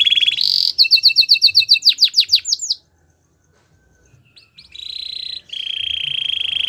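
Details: Gloster canary singing a buzzy note and a fast trill of clipped whistles, falling silent for about a second and a half, then resuming with steady rattling tones.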